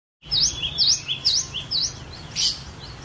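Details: Cinereous tit (glatik batu) from a private collection, a variation song used as a lure to get other birds singing: sharp V-shaped whistled notes in a quick, uneven series, ending with a brief buzzy burst.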